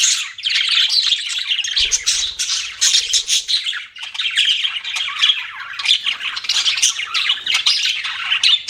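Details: Budgerigars chirping: a dense, continuous stream of high, scratchy warbles and squawky chatter with little pause, loud and close, several notes overlapping.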